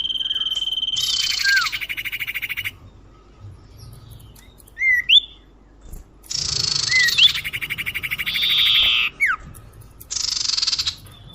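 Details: Lure sound of the common iora used to bring birds closer: harsh buzzy bursts alternating with sharp upslurred whistles, rattling trills and silent gaps.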